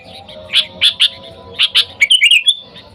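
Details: A sooty-headed bulbul calling wild birds, recording used as a lure: several spaced bright chirps, then a rapid, rippling whistled phrase at the end.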